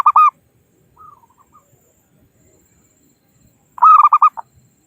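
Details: Local wild zebra dove calling rivals, a recording used as a trapping lure: a loud burst of quick, rhythmic cooing notes opens, soft falling notes follow, then another rapid cooing phrase; quiet background.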